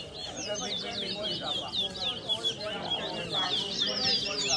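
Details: Twa-twa (chestnut-bellied seed finch) singing in a bird race at a bird ground in New Amsterdam, Berbice, Guyana; quick high twittering and slurred whistled notes run continuously over a steady crowd murmur.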